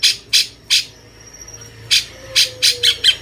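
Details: Cucak cungkok bulbul in jenggot style, recorded as masteran for training champion songbirds; coarse, broadband squawking notes, three spaced calls, a pause with a faint thin whistle, then five quicker rasping notes.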